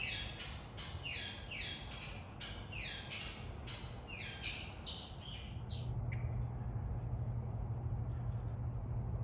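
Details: Captive Taveta golden weaver at a zoo in March 2023 giving a fast series of descending buzzy chirps, about three per second, ending in a brief high note, then low machinery-like hum.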